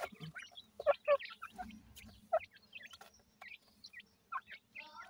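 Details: Calling chicks of grey francolin with the parent bird: loud clustered peeps early on, then thinner scattered chirps and short trills, plus a brief low cluck near the start.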